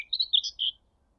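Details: Scratchy, hurried warble from a Common Whitethroat that came in close at Thurrock Thameside Nature Park, near a railway power line; a brief burst of five or six harsh high notes, then quiet.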